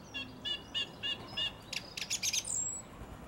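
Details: Song thrush singing in a garden in April 2021, heard from 6 am to 9 pm: one bright, chirpy note repeated five times in quick succession, then a burst of scratchier notes and a thin, high rising whistle.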